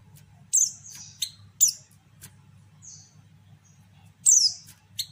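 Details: Female white-eye calling to provoke males: a few high, sharply falling chirps and thin drawn-out whistled notes, spaced irregularly, with a steady low hum beneath.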